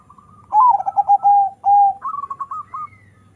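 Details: Local-Bangkok crossbred zebra dove delivering a full rolling coo: a loud descending trill, a long sustained coo, then a rapid run of short higher notes.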